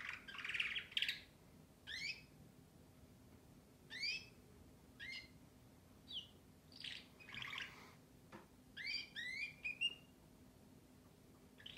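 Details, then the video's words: Song of a canary made of a rich trilled opening, then a string of crisp upswept whistles spaced a second or two apart and a final cluster of quick rising notes. "śpiew kanarka"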